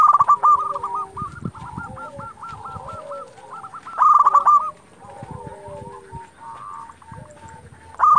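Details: Local zebra doves in full song, played to provoke rival doves into answering: rapid series of hooked, cooing notes near one pitch, several birds overlapping, with a loud burst at the start, middle and end.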